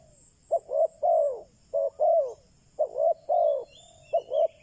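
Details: Decoy spotted dove cooing to draw in wild doves; three phrases of short then long rounded coos, the longer notes arching and falling, with a faint high hiss throughout.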